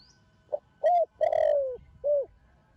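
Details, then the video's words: Single full phrase from a young Thổ Đồng-voiced spotted dove of Thổ Sấm lineage, cooing to stimulate other doves: a soft pickup note, a rising hoot, a long gently falling coo, then a short rounded final coo. "Thổ Đồng Gáy Gọi + Thúc Kích Bổi Đứng Ngồi Không Yên |cu gáy tơ hậu duệ thổ sấm"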